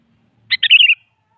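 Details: Sooty-headed bulbul singing in the morning to challenge a rival: one short bubbly phrase of a sharp note followed by a quick run of rich, slightly descending warbled notes, clean background.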